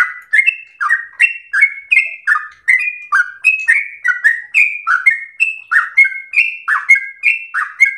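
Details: Captive sooty-headed bulbul giving its 'gacor ropel slow' singing, meant for training household birds. A long unbroken string of sharp, liquid whistled notes alternates higher and lower pitches at a brisk, even pace. No other sounds are present.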